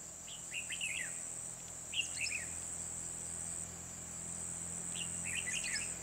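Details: Bulbul song heard while trapping with a decoy bird at Kim Bôi, Hòa Bình, Vietnam, 24 December 2020; three bursts of quick chirpy, slurred whistled notes, separated by pauses, against a steady high-pitched insect buzz.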